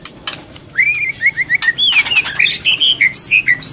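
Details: Female white-rumped shama in breeding condition, feeding a chick and calling to stimulate males: quick slurred whistles in a descending string, then louder chirps alternating high and mid pitch in a rapid regular run.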